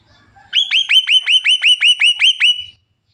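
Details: Javan myna, a caged bird said to talk until coughing, gives a fast run of about ten identical whistled notes, each sharply rising then falling, about six per second, loud and even, then stops abruptly.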